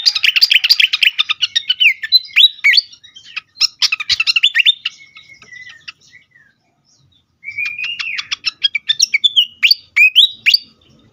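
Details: Agitated fantail song used to lure and stimulate birds: dense bursts of rapid high chattering notes and downslurred chirps, a pause of near silence, then a thin rising whistle leading into quick clicking ticks and twitters.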